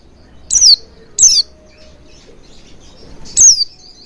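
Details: Oriental white-eye lure to encourage singing: three thin, high chirps sliding downward, spaced apart over a few seconds against a quiet background.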